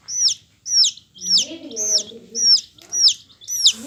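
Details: Loud, high, falling peeps from a yellow domestic chick come in a regular run about twice a second. A lower, buzzy, wavering sound underlies the middle and close of the series.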